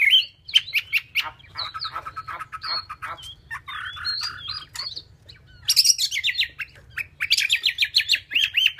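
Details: Caged Chinese hwamei singing: varied bursts of clicks, sharp chirps and short warbled phrases, a steady whistled note near the start, then fast repeated descending slurred notes toward the end.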